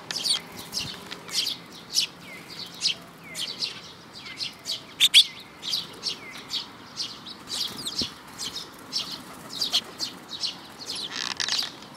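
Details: Eurasian tree sparrow adults with chicks on 13 May 2018 give a busy stream of sharp, high chirps, repeated roughly every half second to second, with one louder burst near the middle and a quiet background.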